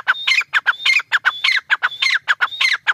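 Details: Partridge (tetar) calling in a fast, loud series of harsh, clipped notes, some carrying a thin steady whistle and a falling squeaky tail, about two notes per second, with no other clear sounds.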